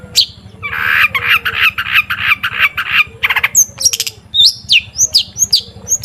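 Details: Long-tailed shrike lure song meant to get shrikes singing: a run of rough buzzy grating notes repeated quickly, then sharp high whistled slurs and chips, with a faint low droning hum throughout.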